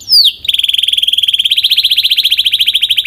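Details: Belgian canary singing, powerful and clear: one loud descending whistle, then a fast, even, pulsed trill repeated many times per second.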